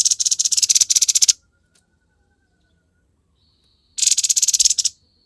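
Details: Grey-headed babbler delivering konslet-style song: a fast, evenly pulsed harsh buzzy rattle for over a second, a long pause with a faint thin whistle, then a second shorter rattle.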